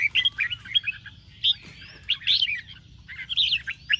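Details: Morning song of a caged red-whiskered bulbul trained in the lively ché style: loud, sweet whistled notes and quick rolling chirps, some sliding upward, in clustered phrases over a faint low rumble.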